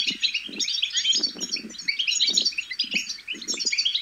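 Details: Babbling goldfinch chicks, a sound used to excite goldfinches into song: rapid high chirps and twitters packed closely together, with repeated low rustling bursts beneath.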